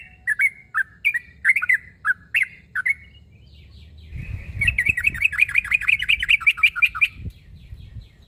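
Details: Yellow-vented bulbul calling to draw a rival: separate liquid, slurred notes at first, then a rapid continuous chattering run of bubbly notes, with some low thumping knocks underneath.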